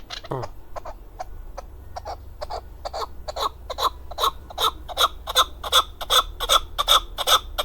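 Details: Male hunting chukar partridge from Darvoz district, Tajikistan, 2020: a few scattered notes build into a steady run of loud clipped chuk notes, about two and a half a second, growing louder toward the end.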